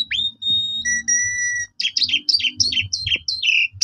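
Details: Asian pied starling lure song: a long steady whistled tone, then a rapid series of chattering, falling two-part notes, with light background rumbling.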